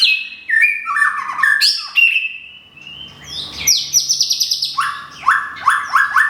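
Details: White-rumped shama, a kept bird in Thung Song, Thailand, plumage almost fully regrown after moult; loud varied whistles, falling and rising slurs, then a fast bright high trill and repeated descending notes.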